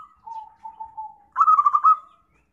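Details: Zebra dove lure call for trapping: a few soft, low, even coo notes lead into a loud, quickly pulsed rolling coo that slides down at the end.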